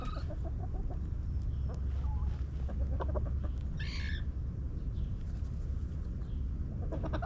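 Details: Backyard chickens in a coop: soft, scattered hen clucks in short runs, a brief rough squawk midway, and a continuous low rumble beneath.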